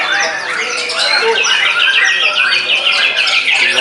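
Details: White-rumped shama, caged and freshly past its moult, singing frantically at a rival. Brief burst of quick repeated chips and sweeping whistled notes, packed closely together.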